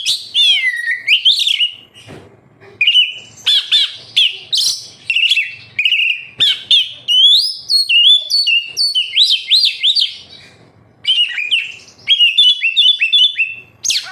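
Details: Captive oriental magpie-robin song meant to coax other kept birds into singing: a continuous rich medley of whistles, upslurred and downslurred notes and rapid chattering phrases with brief pauses.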